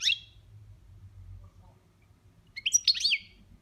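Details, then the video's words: Pet European goldfinch giving boniments-style song: a quick high chirp, a pause with low background hum, then a dense burst of jumbled twittering and slurred notes. "Chardonneret boniments"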